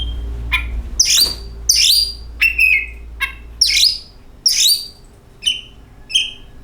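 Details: Oriental magpie-robin song played as a lure to make other magpie-robins sing: loud, sharp whistled notes and short rising chips at uneven intervals, over a steady low hum.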